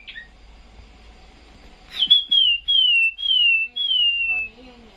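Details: Caged Chinese hwamei singing at 2 a.m. while being moved to Vũng Tàu: a few soft calls, then four to five loud, clear whistled notes, each sliding downward, given in a quick run, with faint low voices near the end.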